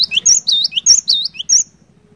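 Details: Cinereous tit in brisk song, used to coax a silent bird to sing: a short rapid sequence of sharp high notes and lower swooping slurs lasting about one and a half seconds, a gentle low hum behind.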